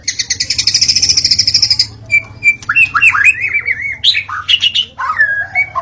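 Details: White-rumped shama singing at dawn, a sound used to lure shamas: a buzzy rapid trill held for about two seconds, then clear whistled notes, rising and falling slurs and sharp high flourishes.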